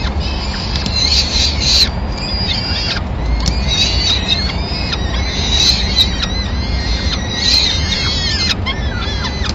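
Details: Peregrine falcon family in Madrid, 26 April 2016, the male delivering a small bird to feed all the chicks at first light: repeated grating, harmonic calls in rapid runs, with constant low traffic noise beneath.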